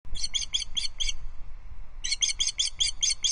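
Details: Female osprey alarm calling from a perch at a Loch Arkaig nest as an intruder osprey flies in the distance, 5 August 2022, evening; two bursts of sharp, high, evenly spaced piping notes separated by a short pause.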